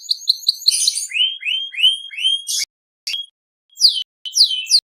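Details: Seri FI canary singing vigorously: quick high notes, a burst of buzzy sound, a series of repeated upswept whistles, then short scattered high notes and downslurs separated by brief silences.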